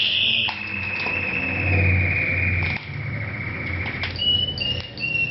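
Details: Orange mosaic Isabel canary song, simple and loud: a long steady whistled tone held for several seconds, then short higher whistled notes, over low household rumble.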